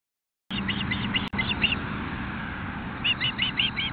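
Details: Osprey at a nest in Nelson, British Columbia, as the male brings a fish, 5:33 pm, 25 June 2016. Short runs of clear, whistled chirps are repeated quickly, in two groups separated by a pause. A steady rushing background is present.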